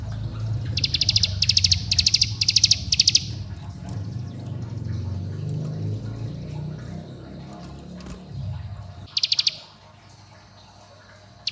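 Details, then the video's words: Bar-winged prinia lure song, 'bren rapat' style for prompting young birds, said to call friends and excite rivals: a few sharp high pulsed trill bursts early, one later burst, over strong low rumbling background noise. "Pancingan Cigun Bren Rapat Agar Ciblek Gunung Muda Bahan Ikut Bunyi Gacor dan Ngebren"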